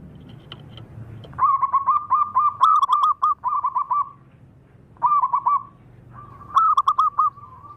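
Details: Zebra dove singing on a Sunday: bursts of rapid, bubbly cooing notes stuttered together into short rolling phrases, with a brief trailing coo between bursts and a few sharp clicks, over a faint low background hum.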